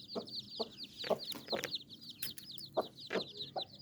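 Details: Hen clucking softly and unevenly to her nine chicks, the low notes coming at irregular intervals beneath a dense chorus of thin, high chick peeps.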